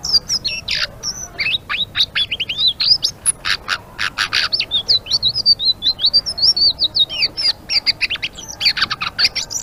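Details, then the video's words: Continuous ngeriwik song of a blue-winged leafbird, known locally as selendang biru: dense rapid-fire chirps and wavering high whistles mixed with loud rasping buzzy strokes, delivered without pause in an excited gacor torrent. "Suara Burung Selendang Biru Gacor❗❗ Ngeriwik"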